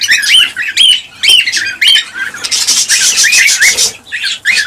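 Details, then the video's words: Cockatiels, a recording used to stimulate mating and breeding: many loud, harmonic squawking chirps with rising and falling inflections, overlapping rapidly, with a dense burst of harsh chatter in the middle. "حفز طيور الكالوبسيت(الكوكتيل) على التزاوج والإنتاج بهذا الصوت القوي"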